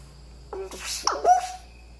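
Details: Pet male eclectus parrot, three years old, perched on its owner's shoulder, producing its robotic sound right at the ear: a brief mechanical burst of warbled tones and buzzy noise lasting about a second, in a quiet indoor room.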